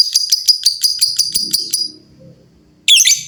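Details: Lovebirds calling back and forth; a rapid series of repeated high piercing chips, about six per second, a brief pause, then one harsh squawk.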